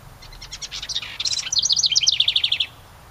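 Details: House wren in summer, one of a pair nesting in a decorative ceramic birdhouse by a cabin, sings a quick bubbly song: soft ticking notes build into a rapid, loud burst of high chattering trills lasting about two seconds before stopping abruptly.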